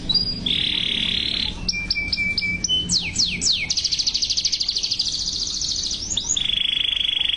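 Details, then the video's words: Yellow canary in song: a steady whistled note, a few quick flat notes, sweeping slurs, then a long fast trill and a final sustained tone. "Yellow canary Singing | Canary Singing"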